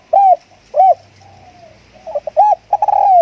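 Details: Spotted dove kept as a decoy bird, cooing. Two short, mellow, hooting coos open the sequence, followed by a soft drawn-out note. Then come quick stuttering notes and a longer, rolling, falling coo.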